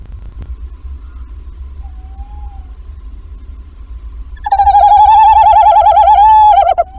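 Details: At a Wassenaar nest on 11 February, after the first egg, the male tawny owl calls and the female replies. A faint short note is followed by a loud, quavering, sustained trill of over two seconds, ending abruptly, with low background hum.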